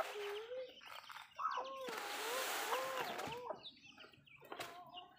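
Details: Hens in a backyard while feeding, giving drawn-out wavering moaning calls and a few short clucks, with a burst of noisy rustling in the middle.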